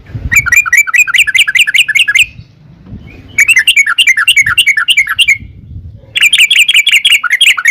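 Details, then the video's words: Sooty-headed bulbul giving long rapid-fire song meant to lure other birds into answering; three bursts of fast bubbly chattering notes, each about two seconds, separated by short pauses, with faint low rumbling underneath. "trucukan gacor TARUNG ROPEL PANJANG pancingan trucukan agar bunyi"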